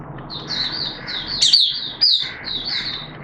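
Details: Oriental white-eye kept as a hobby bird, singing openly on 11 September 2022 in wet, erratic weather: drawn-out high twittering phrases broken by two sharp, louder whistled notes, with a faint hum behind.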